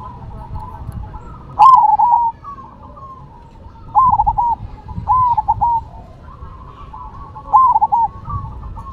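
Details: Cemani versus silver perkutut (zebra dove) singing actively: four ringing, stuttering coo phrases at irregular intervals of one to three seconds, with softer overlapping doves cooing throughout and one brief sharp click.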